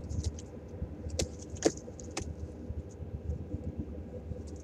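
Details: Vehicle rumble and sharp jangling clicks, with no animal voice heard.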